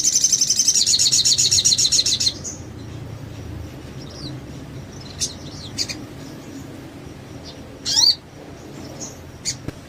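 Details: Sogon song from a masteran training recording meant to make other sogons sing: a loud, rapid, high buzzing trill for about two seconds, then only scattered faint high chirps and thin notes over quiet background.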